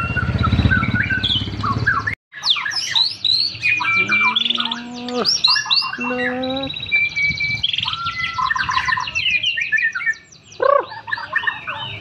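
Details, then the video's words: White-rumped shama, a champion bird set down low beside a road to test its nerve, pours out a long varied song of rich whistles, rapid chattering trills and sweeping notes, after a short burst of background noise and a brief gap. "Murai batu test mental juara"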